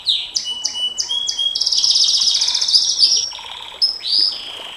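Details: Long-shooting ('nembak panjang') canary song: several separate sharp descending chirps, then a long dense buzzy trill, shifting to a lower rattled phrase and final swooping whistles.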